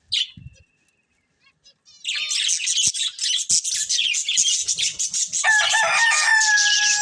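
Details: A short chirp, a quiet gap, then a breeding pair of budgerigars breaks into steady fast warbling chatter, with a level whistled tone joining near the end.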